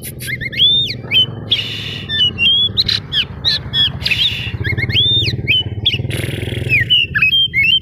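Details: Lively oriental magpie-robin of the kacer daput type, song used to provoke other magpie-robins into answering: varied whistled swoops, upslurs and harsh buzzy notes in fast phrases over steady engine-like rumble.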